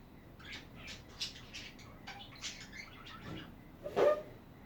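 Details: Budgies chattering: soft, scattered short chirps and twittering notes in quick irregular bursts, fairly quiet, with a brief louder thump near the end.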